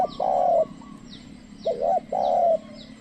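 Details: Spotted dove kept as a trained lure, calling to wild doves that do not come near. A long flat mellow coo, then a short double note and another long coo. Faint repeated high chirps behind.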